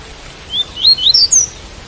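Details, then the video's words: Double-collared seedeater in tui-tui song with rain in the background: five swooping whistled notes rising stepwise in under a second, the final one highest and thinnest, over a soft even hiss. "Coleiro Tui Tui - Com Som De Chuva"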